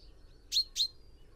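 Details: A close, loud pair of sharp, ringing notes from a common chaffinch, about a quarter second apart, against low background hiss.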